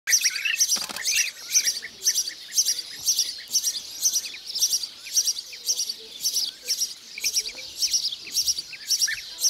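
Blue-cheeked bee-eater giving bright, rolling, high-pitched calls about twice a second, with softer lower chirps between them.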